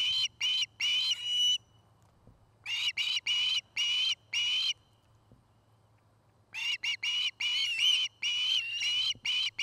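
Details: Nesting osprey in Charlo, Montana, heard in the afternoon calling in three separate bursts of sharp, high chirps with quiet gaps of a few seconds between them.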